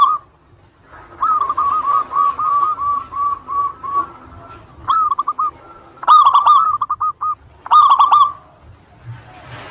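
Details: Local Zebra Dove lure song aimed at rival birds: a long, softer row of quick cooing notes, then louder stuttering bursts of clipped notes, with faint hiss at the end.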